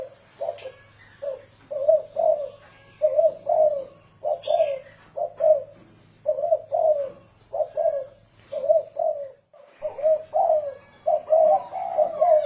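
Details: A spotted dove sings the 'thổ rền' coo used as a lure for doves: a long run of low hollow coos, mostly paired, repeating almost continuously, with a brief high note from another bird.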